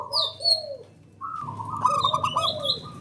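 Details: Zebra dove (perkutut), male call used as a lure; low hollow cooing notes with a rolling trill of repeated short coos, plus higher chirps from other birds in the background.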